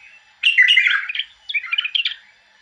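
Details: Bulbul song in two connected bursts of fast, bubbling, warbled notes, the first fuller and louder, the second slightly higher and choppier, then fading to quiet.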